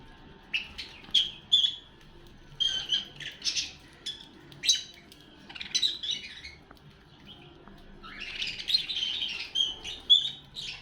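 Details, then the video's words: Pet lovebirds calling while eating food: bursts of shrill, squawky chirps, each lasting a fraction of a second, come in irregular clusters. A denser run of raspy chattering near the end, over a quiet background. "love birds eating food and love birds sounds"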